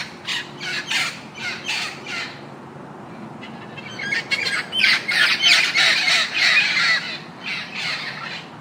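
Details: Indian ringneck parrot calling with grating squawks, a few spaced notes at first, then a quick, loud cluster of harsh shrieks after a brief pause.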